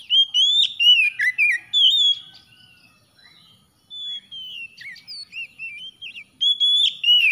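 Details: Oriental magpie-robin giving bright whistled phrases that rise and dip, interspersed with short chips, a brief silence midway, then renewed varied whistling.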